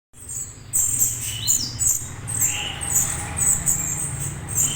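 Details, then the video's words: Juvenile orange-headed thrush calls, used to draw a response from adult birds: short, high, thin chirps repeated in quick irregular bursts, with a few lower whistled notes, over a steady low hum. "suara trotol anis merah cocok buat merespon anis merah dewasa"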